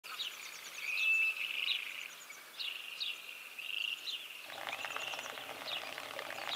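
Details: Western grebes during courtship display, gliding and running on water, give high, grating, rising calls about every second over a steady hiss; a harsher, noisier wash joins halfway.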